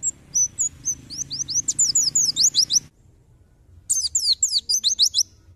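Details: White-eye song on a songbird tutor recording: spaced high whistled notes quicken into a fast run of slurred chirps, then after a pause a second dense twittering burst.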